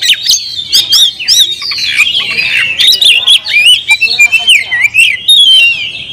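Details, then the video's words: Kacer, a caged oriental magpie-robin, in vigorous song: rising and falling clear whistles blended with harsh, buzzy chirps, delivered in a continuous, richly varied flow. "kacer gacor nagen sampe leklok"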